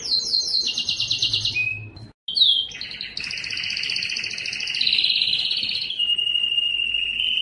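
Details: A yellow canary sings fast trills that begin high and drop lower, breaks off briefly, then resumes with a long, rolling warble that rises and levels out.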